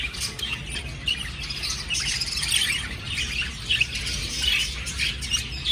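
Budgerigars chatter together in a steady stream of bright, squeaky chirps and warbles.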